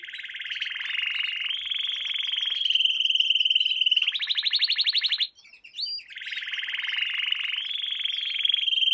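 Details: Canary song for training young canaries: sustained rapid trills, a higher, louder pulsed roll around four seconds, a brief pause with a few chips, then the steady trill resumes.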